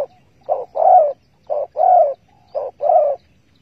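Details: Spotted dove from a bird trap baited with bare bait, 15 August 2020. Three evenly spaced coo phrases about one second apart, each a brief lead note followed by a fuller, drawn-out coo. Clean and quiet.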